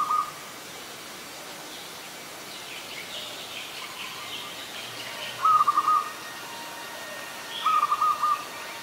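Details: Zebra dove, an adult, recorded 24 February 2022 at Ubon Ratchathani, Thailand, giving soft pulsed cooing phrases, each a quick stuttering run of about half a second, three times with long quiet gaps between; faint distant bird chatter behind.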